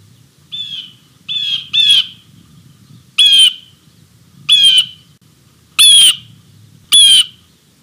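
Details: Blue jay calling to announce its visit before appearing on a platform, recorded 11 March 2020 at 16:50 on a live camera feed; seven loud, harsh, nasal squawks, some paired, some single, roughly a second apart, over a faint low rumble.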